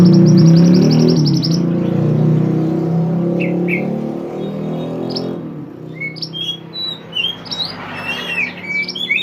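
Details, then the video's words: Pied bushchat giving a chirping training song for songbirds: a buzzy trill half-buried under a heavy engine roar, then clearer quick whistled chirps and slurs as the noise fades. "mantenan gacor burung masteran / chirping sound bird"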